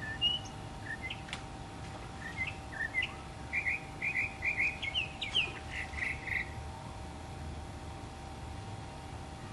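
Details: A northern mockingbird sings while preening among Florida native plants in 2005, running through varied whistled phrases: scattered single notes, then repeated paired chirps, rising slurs and a burst of raspy notes, over a faint steady hum.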